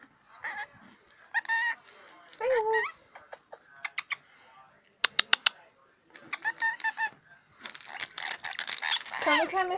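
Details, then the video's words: Talking scaly-breasted lorikeet swearing over his toy, mixing mimicked speech-like phrases with rapid tapping clicks from the toy, ending in a louder, harsher burst of squawky chatter. "Scaly breast lorikeet talking"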